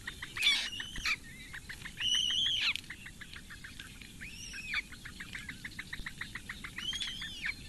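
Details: Four Eurasian bittern chicks at a webcam nest in the reedbeds of Lake Engure, Latvia, beg at breakfast at 08:46 on 15 May 2017 as the female feeds them, giving rapid, dry ticking notes about eight a second, with other birds' whistled phrases over them.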